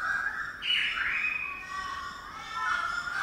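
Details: Currawong building a nest early in the morning above a birdbath in Sydney, giving drawn-out whistled notes: a steady tone jumps upward, then glides slowly down and levels off, with a constant background hiss throughout.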